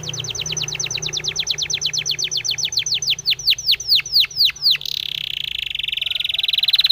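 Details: Spanish timbrado canary, song for training canaries: a run of repeated falling whistled notes that slows and deepens, then turns into a rapid buzzy rolling trill.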